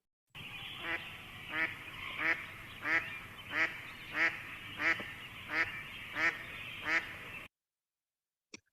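A mallard gives a steady series of about ten harsh, nasal quacks, one every two-thirds of a second, over a soft background hiss.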